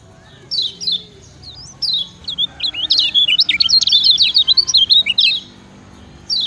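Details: Kecial kuning (Lemon-bellied White-eye) giving a "ciak ciak" master song for training other birds: a few sharp descending chirps, then a fast, high, twisting twittered run of jumbled notes, ending with another chirp.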